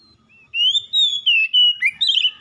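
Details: Clear rising whistle, a level sustained note and an ending burst of buzzy chatter from an oriental magpie-robin, described as a lazy singer provoked into continuous vigorous song.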